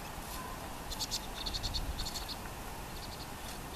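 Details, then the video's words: Vinous-throated parrotbills in winter, feathers fluffed up, moving in flocks with tits while quickly feeding on grass seeds, give quick runs of thin, high chipping notes over a low rumble of wind or distant traffic; recorded November–December 2023. "털찐 붉은머리오목눈이(뱁새)들 Vinous-throated parrotbill (sound+video)"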